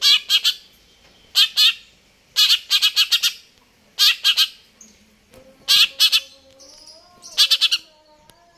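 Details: Greater green leafbird singing actively: loud, harsh, buzzy bursts in clusters of two to four, separated by pauses of about a second, over faint low whistled tones in the background.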